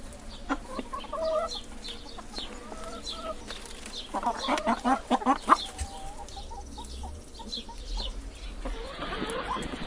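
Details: Hen clucking: soft low clucks and short tonal notes, a quickening cluster of sharp clucks midway, then a series of quieter repeated notes, with a steady background hum.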